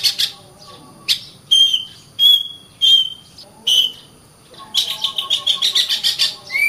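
Oriental magpie-robin song: short, bright whistled phrases and sweet slurred notes delivered in bursts with brief pauses, over a faint steady high hum.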